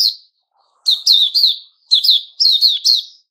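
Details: Opening song ("buka") of a white-rumped shama, recorded 29 August 2021. One note, a pause, then two runs of three loud, high, downslurred notes.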